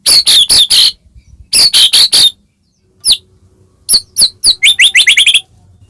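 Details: White-rumped shama song meant to provoke other shamas: clusters of harsh high chattering notes in groups of four, scattered single notes, then a fast run of rising thin whistles.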